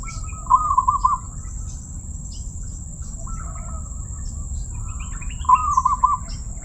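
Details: Zebra dove with a voice called crystal-clear, giving a bubbly trilled coo, a softer drawn note, then another beaded trill five seconds later, amid faint chirps, insect-like ticking and a steady whine.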